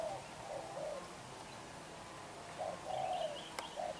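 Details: Spotted dove, young and black-eyed, giving its intense bowing coo. A few low, mellow coos come early, then a pause, then another short burst of coos. A sharp click sounds near the end.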